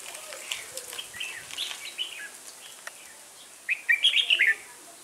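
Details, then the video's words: Red-whiskered bulbul at a trapping session with a decoy bird, 1 October 2018, Vietnam; soft chattering notes first, then a loud burst of rapid warbled, slurred whistles near the end, with faint clicks in the background. "Bẫy chào mào Họng ếch ương ngày 1/10/2018 phần 1"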